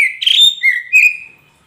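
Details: Magpie robin of the poci type, sound used to prompt a caged bird that has stopped singing: a short, clear whistled phrase with a rising sweep, then two sliding whistles fading out.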